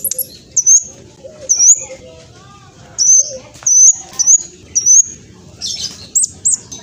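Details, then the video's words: Spotted black sunbird giving sparse, very high, thin whistled slides and short sharp chips, spaced out with quiet gaps between them. "Kolibri blacksunbird trotol speed cepat semua burung akan ikutan nyaut respon"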